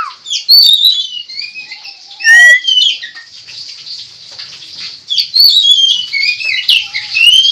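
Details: Oriental magpie-robin singing as a lure for other magpie-robins, a rich run of clear whistles, slurred notes and scratchy chatter, with one loud downward-sweeping whistle near the middle.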